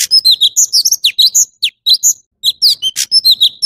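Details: Quick, bright phrases from an orange-bellied leafbird: bouncy high whistles, descending slurs and a scratchy buzz, delivered almost without a break with two short gaps.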